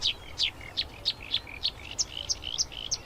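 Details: Marsh warbler song, a species that imitates many other birds: alternating sharp downslurred notes and short level whistles, repeated in a steady rhythm roughly three times per second.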